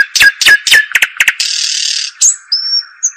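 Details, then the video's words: European robin singing a quick, varied phrase: three falling sweeps, rapid ticking notes, a buzzy stretch, then thin high drawn-out whistles. "أجمل تغريد لطائر الدخل"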